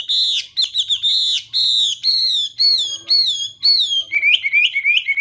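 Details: Chinese hwamei delivering long, ringing whistled notes that slur downward, separated by brief pauses. The song then speeds up into a rapid, varied warbling trill near the end.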